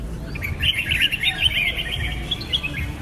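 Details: Lively chattering phrase from a Red-whiskered bulbul (Pycnonotus jocosus), clustered sharp chirps and short whistles packed into about two seconds, low background rumble.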